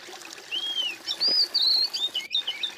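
A songbird sings clear, high whistled phrases, some slurred and arching, some level, in a steady run of notes over a faint background hiss.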